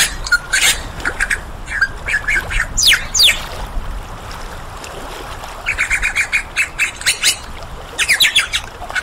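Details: Superb lyrebird song: bursts of bright, sharp notes and quick downward-sweeping whistles in uneven clusters, pausing briefly and then resuming, over a steady hiss of background noise.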